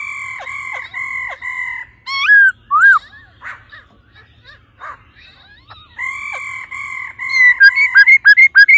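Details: ["A female laughingthrush calls 'ro ro' to urge on the male. Long, flat, buzzy harmonic notes and loud curved whistles give way to a quiet stretch, then flat notes return and end in rapid hooked whistles."]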